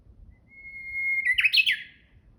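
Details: Japanese bush warbler song recorded on 26 March 2021: a single sustained whistle, level in pitch for about a second, ends in a bright, fast tumbling phrase that jumps up and down. Faint low background hum.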